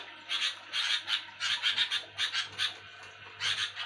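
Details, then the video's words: At night a sooty-headed bulbul gives rasping, grating chatter, a handful of rough bursts spaced irregularly about twice per second, softer than the loudest calls, with a constant low hum. "burung kutilang bunyi nyerecet ribut di malam Hari"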